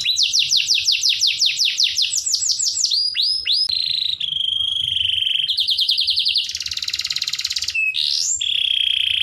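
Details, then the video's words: Master-recording canary song meant to teach young canaries to sing eagerly: rapid repeated descending slurs, a sustained whistle, quick trills, a dense buzzy burst and a final rising note, all high and continuous. "MASTERAN KENARI PAUD BIKIN GACOR DAN NGOTOT"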